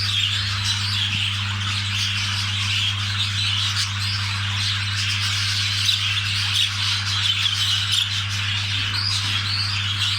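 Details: Budgerigars during mating, lively overlapping squawks and warbling twitters, a few louder harsh notes standing out, over a steady low hum.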